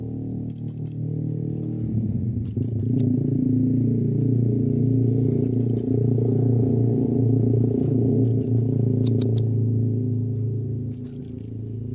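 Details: High, thin double and triple chips from a blue-crowned hanging parrot, a call to prompt other parrots to answer, repeated every two to three seconds above loud low traffic-like rumble.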